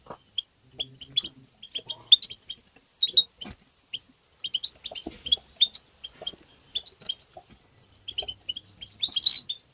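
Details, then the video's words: European goldfinch singing to stimulate goldfinches: dense, lively high twittering of rapid chirps and tinkling notes for nearly ten seconds, ending in a louder buzzy flourish. "ندهات تبتة حسون مقنين بتبتات وتغريد الحسون بتبتة مجنونة لطيور"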